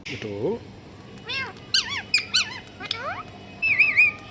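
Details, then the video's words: Talking parrot imitating a cat: wavering meow-like tonal cries and sliding whistles, some high and squeaky, separated by short pauses. "Parrot Talking Mithoo put Meow meow"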